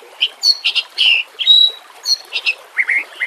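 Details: White-rumped shama song from a training track set over nature sounds and trickling water. Loud clear whistles, a long pure high note and short rasping bursts follow each other quickly, ending in lower rising slurred notes.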